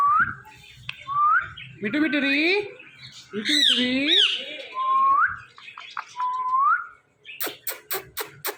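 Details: Ringneck parrot talking into a phone indoors, mixing short upslurred whistles with nasal meow-like sounds and squawky chatter, ending in a quick series of five sharp clicks.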